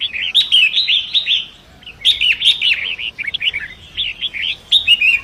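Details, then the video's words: {'caption': 'Long-tailed shrike of river forest, training song for other songbirds: dense, fast, scratchy warbling with mimic-like chirps and several crisp clicks, continuous for most of the clip over faint hiss.'} "Masteran Pentet Hutan Sungai Deras"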